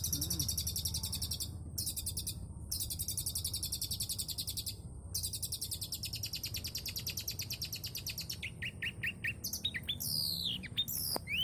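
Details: Long-tailed shrike singing energetically with many varied fills, used as a lure to draw other shrikes into song: long dense buzzy high trills broken by short pauses, then a quick run of varied sharp notes and sweeping whistles over steady low background rumble.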